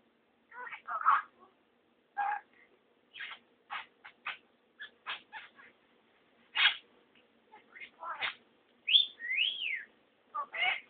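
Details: A male pet budgerigar talks and swears at himself in a mirror, chattering in scratchy, high mimicked speech broken by bright whistles and warbles.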